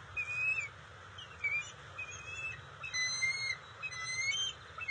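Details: Bald eagle family at the NCTC nest, June 27, 2021, during a fish delivery to the eaglets: fainter, thin whistled notes, some rising, spaced about a second apart, over steady low background hum.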